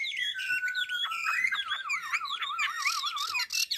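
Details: Ha Giang hwamei from Vietnam, recorded for training birds to sing: clear whistled notes with quick dips, flowing into a long rapidly wavering trill, then faint hissy notes.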